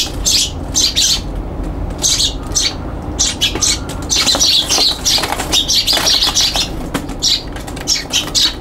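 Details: Young Eurasian tree sparrows fighting on a balcony, recorded 21 June 2022: rapid, harsh chirps and squawks in dense bursts, some overlapping, with wing flutters and a steady low background hum.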